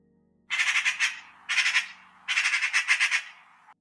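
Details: Eurasian magpie in winter chattering: three bursts of harsh, dry, rapidly pulsed chatter, like a wooden rattle, with faint low music fading out at the start.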